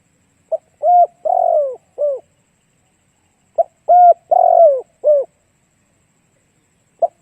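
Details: Spotted dove song, a recording played to attract other doves: two full four-note cooing phrases about three seconds apart, each with a clipped start, a rolling long coo and a short falling end, then a third phrase beginning.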